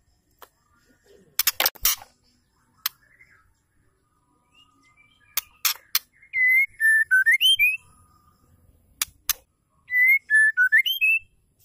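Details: A female white-rumped shama calls, a sound meant to stir males into song: sharp clicks and taps, then the same pure whistled phrase given twice, each a string of six notes dipping and then climbing before a short fall.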